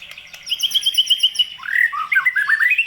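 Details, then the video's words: White-rumped shama song used to provoke and stir up other birds: a run of repeated clear whistled notes near one pitch, then a quick varied phrase of rising and falling slurred whistles, loud and clean with no background. "Burung Murai Batu Gacor pancingan emosi burung bahan"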